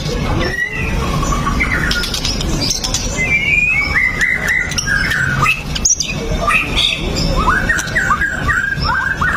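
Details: White-rumped shama in full song as a prompt for other shamas: bright whistled phrases, short upward flicks and clustered chirps, against a noisy low background.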